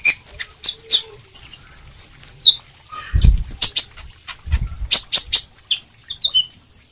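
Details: Sunbird giving a hurried string of very high sharp chips and brief whistled slurs, with scattered clicks and two low thumps.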